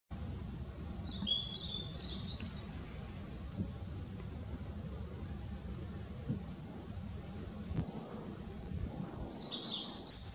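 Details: A blue-and-white flycatcher, back again this year, sings from a tree on 18 April 2016: a bright, high whistled phrase of quick notes, then a shorter phrase near the end, over a steady low rumble of wind.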